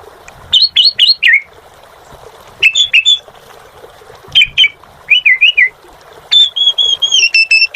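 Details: Jalak suren, the Asian pied starling, singing in short separated bursts: quick upward whistled chips, twisting warbled notes, and a final long pair of level whistles, with quiet gaps of about a second between phrases.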